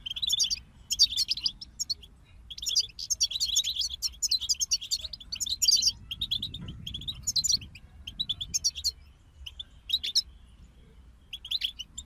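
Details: A group of goldfinches sings a long run of rapid, high twittering phrases, chattering bursts separated by short gaps, with metallic trills and sharp chips. A low rumble swells near the middle.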